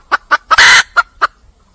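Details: Wild red junglefowl hen calling for a male: five short, sharp clucks with one longer, harsh, rasping squawk in the middle. The background is quiet.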